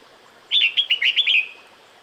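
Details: A breeding-season female red-whiskered bulbul calls the male with a single lively phrase of about six fast whistled notes, slurred and bouncing in pitch, over quiet hiss.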